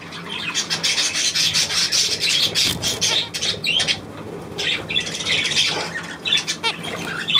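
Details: Budgerigar flock, 9 February 2024: rapid high chirping and warbled chatter in dense bursts, with soft wing flutters and occasional squawks throughout.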